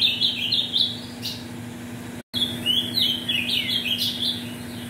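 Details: Caged ultramarine grosbeak from mutation parents, sung to warm up birds for song tournaments: quick whistled warbled phrases, rapid descending and rising slurs, broken by a brief silent cut, with a constant low hum behind.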